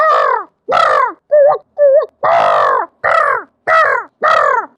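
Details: Crow calling in winter, a quick run of eight harsh, nasal caws, each about half a second, with two shorter, wavering notes in the middle.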